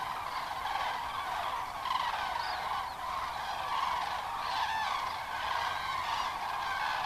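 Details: Common cranes flying in by the thousands after 17:00 to spend the night at Kelbra reservoir, late October evening with hazy setting sun: a continuous chorus of rolling, bugling calls from many birds.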